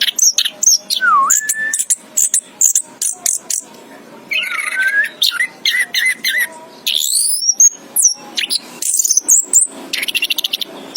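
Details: Orange-headed thrush chirping in a varied, energetic song: clipped high notes, a swooping whistled dip, sweeping buzzy phrases and rapid trills, delivered almost without pause over eleven seconds.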